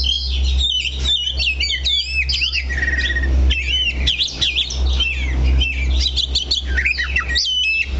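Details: An Oriental magpie-robin, perched steadily in one spot, sings a rich, nonstop stream of sweet whistles, slurred rising and falling notes and quick chattering phrases over a steady low hum.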